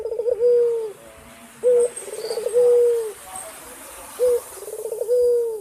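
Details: Repeated low cooing of a male puter putih calling the female, three phrases of short note, rolling trill and long falling coo, set against a steady hiss of background noise.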